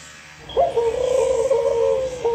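A dove gives one long, low, hollow coo, held steady for nearly two seconds with slight wavers in pitch, over a quiet background.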